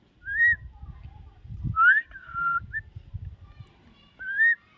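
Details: Common myna whistling short arched notes and a rising-then-level slur over a steady low background rumble, ending with another arched whistle.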